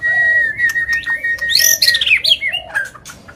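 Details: Agitated white-rumped shama in non-stop song used to provoke other birds: a long, steady whistle followed by a rush of high, rapidly falling notes and twittering slurs.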